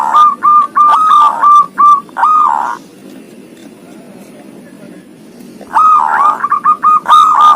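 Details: Zebra dove with a thirteen-feather tail singing ngoar style: rapid strings of short, level coos, a pause of about three seconds with only a low hum, then another fast run of clipped notes.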